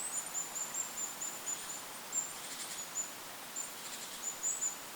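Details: Goldcrest calling in a forest over a lake: a steady run of very thin, high-pitched sibilant notes, some in quick clusters, continuing through the clip over a hiss of wind noise.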